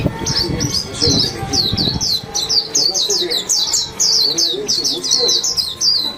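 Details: Warbling white-eye singing a lively twittering song: a fast, unbroken run of high, thin, downslurred notes, each a quick sweep dropping in pitch. Low rumbling background noise fills the first two seconds.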